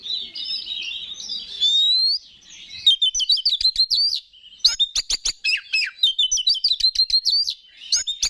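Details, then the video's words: Oriental magpie-robin (kacer) in full song, used to provoke other males into singing: a long warbled whistle, then rapid repeated sharp chattering notes in bursts with brief pauses. "Pancingan Menaikan Emosi K4CER"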